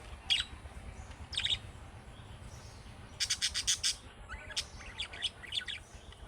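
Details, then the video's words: Budgerigar chick-style calling chirps that other budgerigars answer: single sharp chirps, then a fast even series of five or six buzzy notes, followed by warbling, chattery chirps. "MUHABBET KUŞU SESİ Kuşunuz Bu sese Karşılık Verecek Kuş Sesi"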